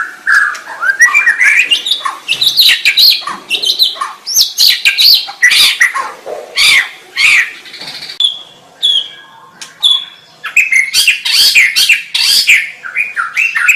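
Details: Long white-rumped shama song sequence: rising slurred whistles, harsh raspy bursts and rapid chattered phrases, separated by brief pauses, with a quieter stretch midway before loud varied phrases resume.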